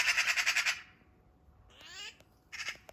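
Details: Eurasian magpie in a backyard, under attack by a Eurasian sparrowhawk: a loud, harsh, rapid rattling chatter of about seven grating notes in under a second, then a softer strained call and a short second burst of chatter.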